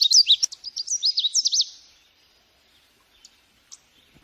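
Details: Birds singing: a rapid run of high, sharp chirps and quick up-and-down trills for under two seconds, then fading into near silence with a few faint, isolated ticks.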